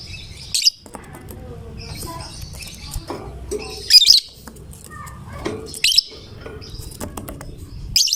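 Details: Lovebird, a fighter-type bird singing steadily, its song said to draw any other lovebird into singing; short shrill chattering bursts repeat about every two seconds over a low background hum.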